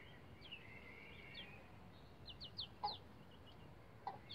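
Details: About 11-day-old bantam Rhode Island Red chicks on a chicken ladder utter a long level trill, then a quick run of sharp falling peeps, with two soft low ticks.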